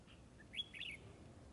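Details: Red-whiskered bulbul at a trapping site, in a fighting display, giving one short bright phrase of warbled notes that rise and fall, over faint background hiss.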